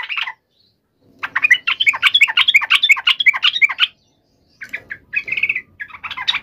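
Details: Yellow-vented bulbul emotional fighting call, aimed at drawing a quick response from other birds: a short opening note, then a long, fast stream of bubbly chattering notes, followed by broken, clipped chirps.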